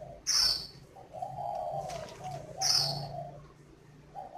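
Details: Spotted dove kept at a breeding garden in Ba Vì district, Hanoi, Vietnam, "giọng pha" style: soft sustained low cooing, twice overlapped by loud shrill chirps from other birds.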